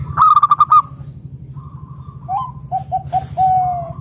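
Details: Zebra dove of local stock, kept to coax other doves into song: rapid, stuttering run of loud cooing pulses, a pause, then a string of short lower coos ending in a longer note, over low hum.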